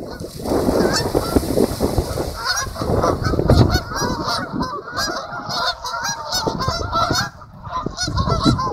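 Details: Geese arriving in two groups and landing on a lake, recorded with a built-in camera; a dense chorus of nasal honks, many overlapping, over a steady rushing background.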